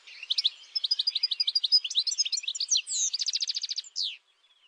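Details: European goldfinch song in wild style: rapid twittering phrase of varied chirps, then a fast even trill of about a dozen notes, ending with a single down-slurred note.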